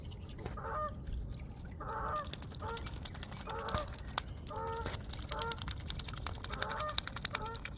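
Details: Geese honk in the background while a swan feeds on seeds: nasal, harmonic honks in short bursts roughly every second, with dense sharp clicks and taps from the feeding throughout.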